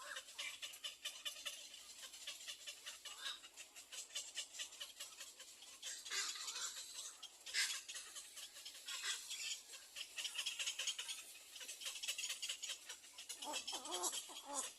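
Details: Nestling little egrets pleading for their mother to feed them, giving a dense, continuous stream of scratchy, rattling rasps with louder surges every few seconds.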